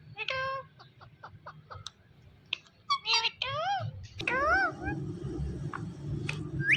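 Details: Pet rose-ringed parakeet talking: short clicks and sharp chips, then a run of rising and falling whistled, voice-like syllables, with low room hum and a person's voice in the background.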